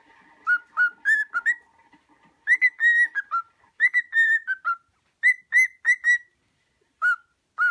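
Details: Pet cockatiel whistling its imitation of the song "Another One Bites the Dust": clear, pure whistled notes in short rhythmic groups of three to five, a pause, then more repeated whistles.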